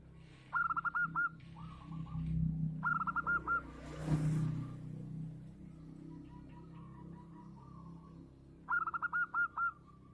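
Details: Gacor local perkutut, the zebra dove, with a big voice: three separate phrases of fast, rolling coo notes spaced seconds apart, quieter trailing notes between, a passing vehicle-like whoosh midway and low background rumble.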